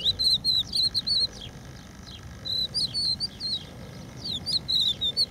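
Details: Crested lark singing on a protected beach at Empuriabrava: clear whistled phrases of four to six slurred notes, some rising and some falling, in bursts separated by short pauses, over a soft steady background hiss.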